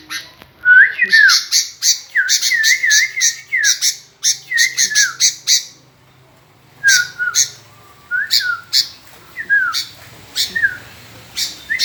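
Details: Sooty-headed bulbul (kutilang) singing gacor: fast runs of sharp high notes mixed with bouncy, looping whistled phrases, a pause midway, then sparser chirps with brief falling whistles over a low hum.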